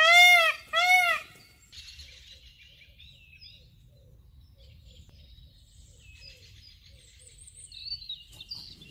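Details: A white Indian peafowl calling during its dancing courtship display gives two loud, nasal, wailing calls in quick succession, followed by faint high chirps from small birds.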